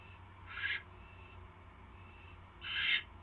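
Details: Owl at 8:34 PM, 24 January 2016, as the male hands his mate a third mouse; two separate hoarse, hissing rasps about two seconds apart, against a quiet low hum.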